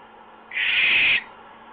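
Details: Owl on a lookout perch after midnight, 12:55 a.m. on July 8, 2015, watched by a live camera; one harsh, breathy hissing screech lasting about two-thirds of a second, steady throughout, then quiet.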